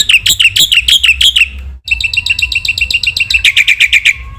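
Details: Black-winged myna training song, lively and full of varied phrases: loud repeated downslurred whistles with rich overtones, about a dozen in quick series, a brief pause, then a faster rattling run of sharp notes and more slurred whistles.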